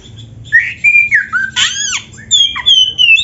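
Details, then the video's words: Oriental magpie-robin (kacer) song used to train caged birds: varied whistled phrases, rising and falling slurs, a loud downward-swept burst, then long clear high whistles at the end. "SUARA MASTERAN BURUNG KACER GACOR ‼️ DENGAN FULL ISIAN MEWAH - SEKETIKA IKUT GACOR"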